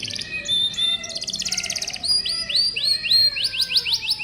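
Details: Canary song meant to stimulate young canaries that rarely sing: varied high whistles, a dense buzzy trill, then a run of repeated rising sweeps quickening toward the end.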